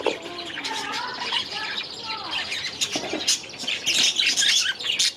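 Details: Young budgerigars in their new aviary during their first days; warbling, sliding chirps and squawks overlap, rising to a louder burst of chatter near the end.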